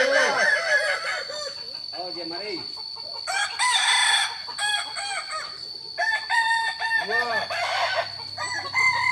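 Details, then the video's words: Practice contest of Kukuak Balenggek ornamental chickens from Solok, West Sumatra. Multiple roosters crow in turns and overlaps, each crow a rapid series of rising-falling syllables, bursts loud then fading, over a constant high-pitched tone. "Latberan ayam kukuak balenggek akb ayam hias asli solok sumbar"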